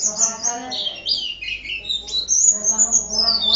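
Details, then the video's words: An Oriental white-eye in full song sings a fast, unbroken, high twittering warble of thin, sweeping notes, with a faint low hum underneath. "Suara Kicau Burung Pleci Gacor"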